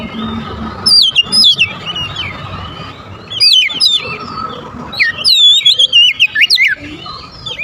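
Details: Lure recording of an oriental magpie-robin (kacer) meant to attract birds: three clusters of rapid, looping whistled phrases, the last longest and most varied, with a constant faint hum underneath.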